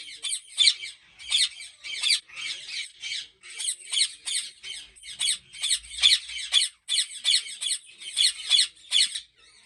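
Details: Many ringneck parrots on a large breeding farm in Pakistan, calling in steady, pulsing harsh squawks, around two bursts a second and overlapping.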